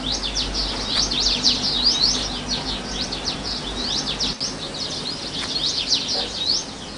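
House buntings give quick, high, sharply slurred chirps in overlapping runs, several each second, over a steady low hum.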